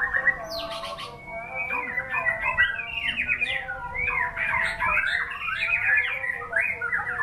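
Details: Murai batu, the white-rumped shama, delivering a lively, varied song of rapid slurred whistles and chattering trills that rise and fall continuously, with quiet steady tones underneath.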